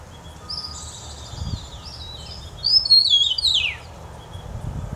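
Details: Eastern meadowlark song: soft, high whistled notes, then one loud, clear phrase of slurred whistles that slides down at the end, over a quiet rural background.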